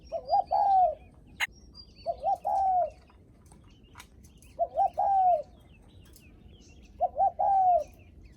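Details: Spotted dove cooing in its greeting-visitors style, a short two-note wavering lead followed by a long sustained coo, phrases repeated about every two seconds; faint high chirps of other birds in the background.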